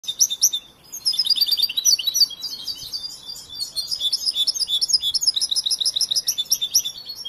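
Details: Young European goldfinch, raised from hatching and trained but with its song still unfinished, delivering a fast, dense twittering of high tinkling notes and buzzy trills almost without pause, with a brief gap near one second.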